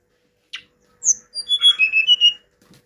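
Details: Short Hill blue flycatcher phrase: a sharp chip, a high whistled note, then a quick warbled sequence of thin whistles and slurred notes.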